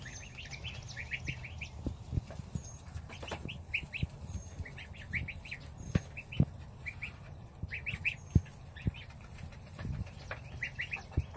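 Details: Domestic goslings eating their starter ration beside their mother while the father goose stands guard outside; short, high peeps come in quick clusters, with a steady low rumble underneath.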